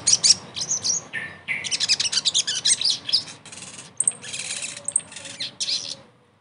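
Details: Therapy recording of sogon song for a bird that has stopped singing; fast rattling trills and scratchy high chatter, then sharp whistled notes and buzzy bursts fading out.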